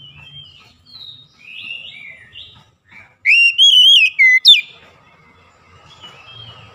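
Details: Oriental magpie-robin lure song meant to prompt silent magpie-robins to sing. Soft varied warbled notes lead into a loud burst of clear wavering whistles and sharp rising chips, then quiet again with a faint low hum.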